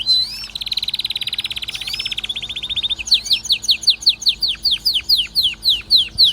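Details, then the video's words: Excited canary delivering a long, fast, buzzy trill for about three seconds, then switching to a slower, evenly spaced series of sharp descending whistles. "غناء كناري هايج ومولللعCanario -canary"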